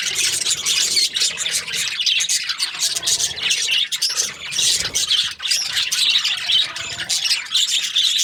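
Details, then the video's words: A dense, constant wall of budgie chirping: many birds warbling and squawking at once in a shrill, scratchy chatter that barely dips for the whole stretch. "Beautiful budgies chirping sounds"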